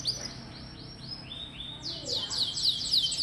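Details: Canary song used to provoke a response from young canaries: soft evenly spaced falling whistles, then a louder burst of fast bright trilled notes.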